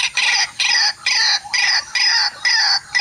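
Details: White-breasted waterhen facing a mirror trap while luring is under way, a rival arriving to disturb it. Loud grating, croaking bursts about half a second long alternate with short pauses.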